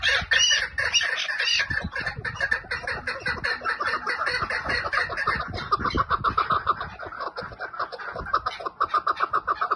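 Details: Chukar partridge, 'lal' style call: dense, rapid chattering of harsh notes that starts loud and high, then settles into a quicker, lower, clipped stutter, with constant background noise.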